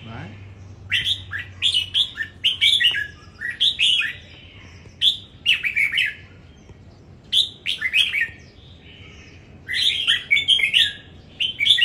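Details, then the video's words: Red-whiskered bulbul in a singing contest in Đồng Nai, Vietnam, repeating bright warbled whistle phrases in groups of three or four notes, separated by short pauses, over a quiet background. "Chào Mào Đấu Hót"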